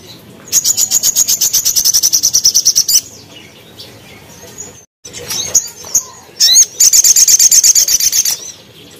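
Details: Crimson sunbird singing for cage-bird training, gacor 'tembakan tajam' style: a long, shrill, rapidly pulsed high trill lasting over two seconds, a gap with scattered chips, then a second similar burst.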